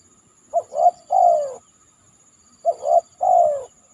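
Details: Two phrases from a spotted dove after heavy rain on a banana trunk: short hooting coo, second coo, then a sustained falling coo, separated by a two-second pause, over a faint continuous high whine.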